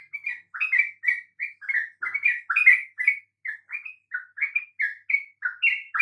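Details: Continuous chattering song of a sooty-headed bulbul, meant to stir other birds into song: short, mellow, warbled notes with rising and falling turns, strung together steadily for several seconds over a quiet background.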